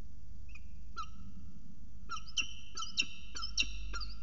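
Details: Peregrine falcon giving a short morning chatter at CSU Orange on 6 December 2018: faint early notes, then a run of clipped, harsh, harmonic calls repeated about every half second over a low background rumble.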